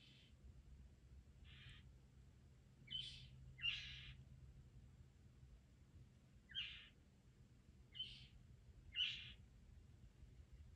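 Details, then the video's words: During courtship, when the male sings to defend territory and attract a mate, a Northern Mockingbird gives about seven short, harsh, raspy notes at irregular intervals over a low rumble of background noise. "Mating Flight|Songs? Courting Displays Of Northern Mockingbirds?"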